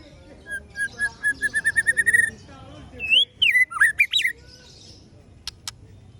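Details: Murai batu (white-rumped shama) in Ciung Wanara song style: a run of about eleven quick repeated chipping notes that grow louder, then loud sweeping whistles rising and falling, followed by two sharp clicks.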